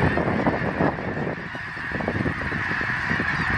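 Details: Many geese honking together, September 25, 2014: rapid, irregular nasal honks, about two or three a second, blend into a loud jumble that eases slightly midway, then builds again.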